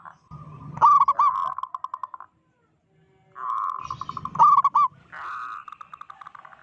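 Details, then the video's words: Local zebra dove with a big voice, vocalizing to provoke other zebra doves: mid-pitched rolling cooing phrases with rapid staccato pulsed bursts, a silent pause, then the sequence repeated. "Perkutut lokal gacor suara besar - Panggilan perkutut Ampuh BIKIN PANIK perkutut lain"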